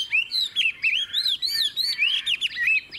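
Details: Caged Chinese hwamei sings a clear run of looping, rising and falling whistled notes, each arching phrase following closely on the last.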